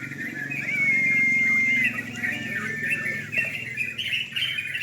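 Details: Sooty-headed bulbuls at a night-time singing contest: a dense chorus of overlapping chattering, warbled phrases, with one long, thin, level whistle early on and a low murmur of people underneath.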